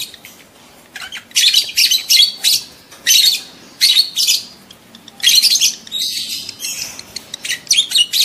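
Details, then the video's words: Lovebirds in breeding condition giving mating calls: continuous loud, shrill, chattering chirps in rapid bursts, each lasting under half a second, repeated with barely a break. "SUARA LOVEBIRD KAWIN"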